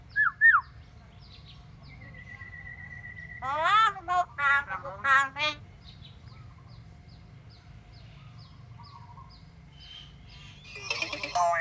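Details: Pet talking myna: two short whistled slurred notes, a pause, then a long flat whistle followed by a string of harsh speech-like rasping bursts, later quiet, ending with another harsh flurry.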